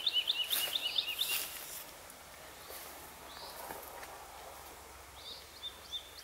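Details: A woodlark in Yorkshire sings short runs of rapid, high, liquid notes, pausing before starting another run, with soft wind noise underneath.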